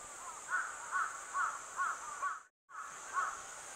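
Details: Crows near a young goshawk eating on a branch, 6 July 2022, filmed with no music: a rapid series of six rough caws, roughly every 0.4 seconds, with a brief cut in the sound and a constant high insect drone.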